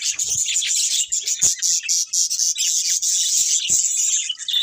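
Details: Budgerigars chirping in a loud, constant chorus of shrill, buzzy twitters, packed tightly together with brief dips between bursts of chatter.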